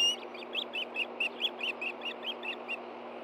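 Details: Excited Ospreys at a nest in Hellgate Canyon, Montana, late August 2013, as a fish comes in: a fast, even series of about fourteen short, high chirps over three seconds.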